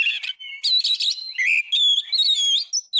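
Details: Oriental magpie-robin, a tutor recording for caged birds: buzzy chatter leading into long clear whistles that hold level, then glide upward.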